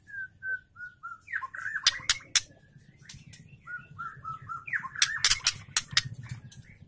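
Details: Caged female Oriental magpie-robin used to lure and excite males: a run of short, level whistled notes, then rising whistles mixed with sharp dry clicks and chattering bursts, over steady low hum.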